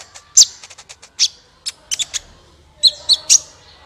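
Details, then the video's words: Lure song of a sunbird to get other birds singing: a quick string of high ticks and sharp chips, then a brief pause and three loud, ringing high notes with short whistled tails. "suara burung Kolibri ampuh untuk pancingan, suara burung Kolibri gacoorr 2 menit langsung ikut gacor"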